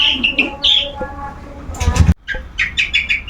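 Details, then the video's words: Caged long-tailed shrike during its routine sunbathing, calling restlessly: sharp, slurred chirps near the start, then a noisy rustling burst, then quick repeated chirping notes to the end. "Rutin Di jemur Burung Cendet ngeplong⁉️Gak mau Diam"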